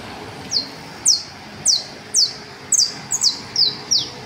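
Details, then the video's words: A canario basto in the Las Delicias valley repeats clear, high, down-slurred whistles, spaced at first then bunched more tightly toward the end, against a quiet rural backdrop. "TRINO DE CANARIOS BASTOS EN EL VALLE LAS DELICIAS"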